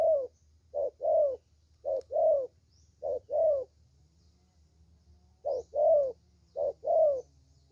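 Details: Spotted dove, a young lure bird with a good voice; gentle paired coos, a quick note then a fuller falling one, in two groups separated by a pause, faint hum beneath.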